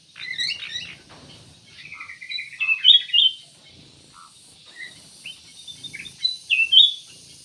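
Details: Black-naped oriole in song. A lively string of whistled notes and chattering trills forms a longer phrase, followed by further bright whistled bursts over faint rustling.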